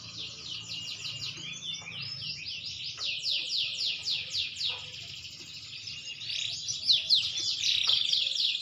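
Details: Maturing green canary delivering a long, continuous song of rolling trills and rapid repeated notes that rise and fall in bursts, with faint clicks in the background.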